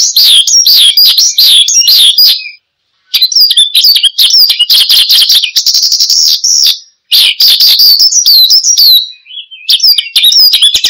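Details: Branjangan (Australasian bushlark) in vigorous 'gacor' song for luring and tutoring cage birds: bursts of rapid high twitters and slurred whistles separated by brief silences, with a sustained buzzy stretch midway.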